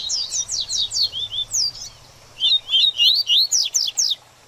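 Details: Double-collared seedeater baderninha song for stimulating a post-moult bird. Evenly spaced slurred notes, about four per second, form two phrases split by a short silence, with sharp downward sweeps at the close.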